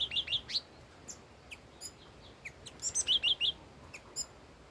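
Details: Old wild red-whiskered bulbul singing: a quick burst of warbled, bouncing whistled notes opens, then scattered high chips, then a second run of five loud wavering whistles near the end.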